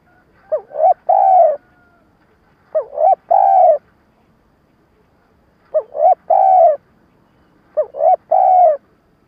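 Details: Spotted dove stuttering lure call for trapping, gù then gáy: four phrases, each two or three clipped hoots followed by a long buzzy falling coo, repeated every two to three seconds.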